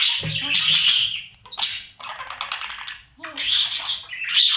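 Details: Budgerigar chicks begging inside a nest box while parents feed them during breeding; harsh, raspy bursts of buzzy chatter in three loud bouts separated by short quiet gaps.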